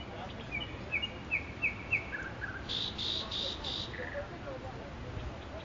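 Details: Nightingale singing in Makui park: a run of short repeated slurred whistles, then a few lower notes and a burst of buzzy, rattling high phrases, with steady background hiss.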